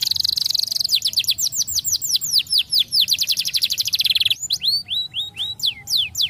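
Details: Canary song to help young canaries learn: buzzy roll leading into a long trill of repeated downslurred whistles, a rapid rattling phrase, then loud separated high sweeps.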